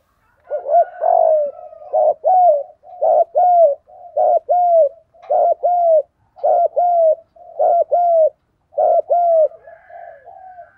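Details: Spotted dove giving a driven thúc gù cooing for training birds: loud paired coos with a curved, slurred second note, repeated roughly once a second in a steady run.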